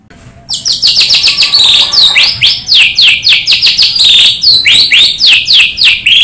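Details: White-rumped shama singing its own natural song, used as a lure to get other shamas singing: loud, rich phrases of rising and falling whistles and fast sweeping notes, delivered in a continuous, varied stream.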